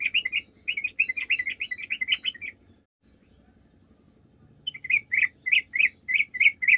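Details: Sooty-headed bulbul singing as a lure for other birds: a fast chattering phrase of clustered notes, a pause of about two seconds, then six louder, evenly spaced bubbly notes, over a low background hum.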